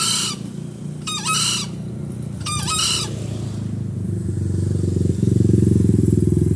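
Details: Three brief, rasping Green junglefowl crows in quick succession over the first three seconds, followed by a rising low engine drone.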